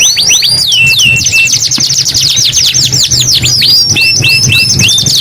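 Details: Loud canary song, kenari gacor style: rapid series of high curved whistled notes, fast trills and repeated short flat tones, with a faint low hum.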